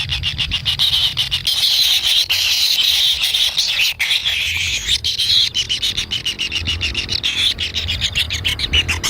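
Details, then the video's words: Young kingfishers in their nest, impatient for food from the parent, keep up a rough, wheezy begging chorus. Long grating stretches alternate with bursts of rapid ticking pulses, and a faint low rumble runs under it. "ANAK BURUNG KINGFISER LUCU ‼️TAK SABAR SAAT MAKAN"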